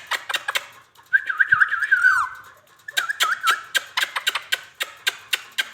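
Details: Talking Indian ringneck parakeet kept indoors, giving two bursts of wobbling, trilled whistles around one pitch, separated by a short pause, over a background of steady sharp clicking.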